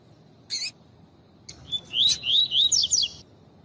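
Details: Female double-collared seedeater calling to stimulate males into singing: a sharp click, then a quick run of high, thin chirps and twisting whistled notes over about two seconds, with a quiet background.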